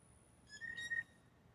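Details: Blue jays, several males taking turns competing for one female with mating calls: a clear, piccolo-like whistled note held about half a second at a steady pitch with bright overtones, breaking into two or three short steps.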